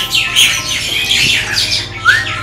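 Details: Hand-reared myna nestlings at a bird farm, about 20–21 days old, begging while being hand-fed. They are possibly black-winged (white) mynas rather than Bali mynas. Harsh, raspy squawks pour out near-continuously, with a brief rising whistle and a man talking quietly.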